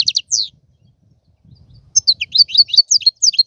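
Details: Short European goldfinch phrases: a few sharp high notes and a descending slur, about a second and a half of near silence with a soft low murmur, then a bright, rapid, jangling twitter.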